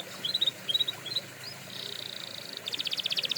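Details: Canary song for training canaries, quieter: small groups of short chirps, a level buzzy trill, then a quick rattling roll of repeated high notes.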